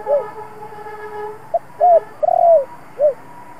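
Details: Spotted dove singing one full 'giọng thổ' phrase used to rouse decoy doves. Short coos lead into a long quavering coo and a falling final note. A steady low tonal hum runs underneath.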